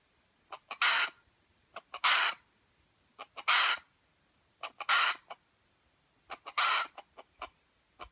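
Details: Junglefowl from Aceh, a white-legged F1 bird, giving loud rasping bursts roughly every 1.3 seconds, each preceded by a few soft clicks. The background is quiet.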